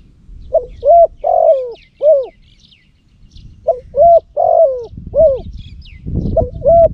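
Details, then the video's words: Caged decoy spotted dove in Cambodia, kept for luring wild doves and noted for a big, deep voice. It gives two bursts of mellow, hooked coos, each a quick run of three or four notes, with a pause between. Faint chirps of small birds and low rumbling are behind it. "លលកធ្នាក់សំលេងធំទ្រូលបរ (ស៊ីដាំ) -Terbaik Pikat Terkukur Cambodia"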